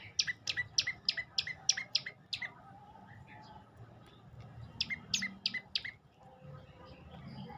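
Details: Song of an olive-backed tailorbird: a rapid string of eight loud, piercing chip notes, a quiet gap, then a second shorter run of similar sharp notes.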